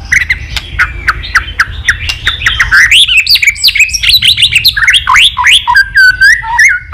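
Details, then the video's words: White-rumped shama giving continuous 'tạch' song to stimulate other shamas: rapid volleys of sharp clicks and chattering notes give way to fluid, swooping whistles and a final twittering trill, loud and close. "Chòe lửa tạch liên tục"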